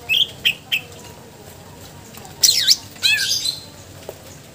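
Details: Greater green leafbird singing energetically with a varied repertoire: three short rising chirps, then loud swooping, descending and rising whistled phrases, followed by a fainter trailing note over low hiss.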